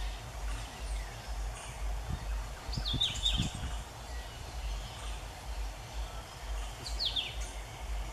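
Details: Crimson-crested woodpecker (Campephilus melanoleucos) in Panama, 2015, giving two brief, high, squealing downslurred calls about four seconds apart over steady low rumbling background noise.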